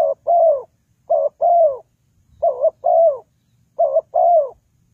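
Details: Spotted dove calls, used as trapping decoy: four two-note phrases, a brief coo then a longer descending coo, roughly once per second, recorded cleanly without background noise.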